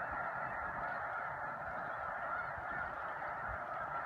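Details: Spring migration flock of snow geese at Choteau, Montana, March 2015, an intense, constant clamour of shrill honks layered so thickly that no single call stands apart.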